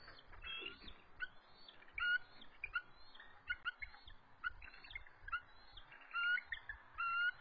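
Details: Two stressed resident eagles calling and trilling from their nest at dusk on March 23, 2014, lowering their bodies defensively before an adult intruder lands. Scattered bright chirps rise over a softer chatter, with brief thumps and background noise.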